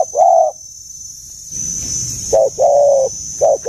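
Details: Mature-voiced dove, giọng già rừng sát bổi style, uttering a long hollow coo, then after a pause a short note plus an extended resonant one and another clipped note, with low rumbling background noise and a faint high whine.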